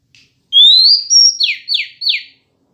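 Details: Female Oriental magpie-robin song intended to agitate males: a smooth rising whistle, a level high note, then three fast falling slurs, with a clean, quiet background.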